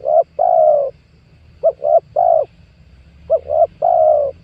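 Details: Spotted dove calling as a lure for trapping wild doves, 2022: three cooing phrases, each two clipped notes then a sustained mellow coo, with pauses between.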